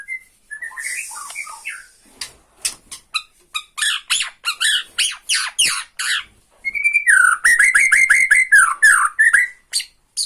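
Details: Bornean white-rumped shama, kept as a songbird, giving 'tretekan' song meant to anger and provoke another shama: harsh scratchy bursts and clicks, then a fast run of loud repeated downslurred whistled notes.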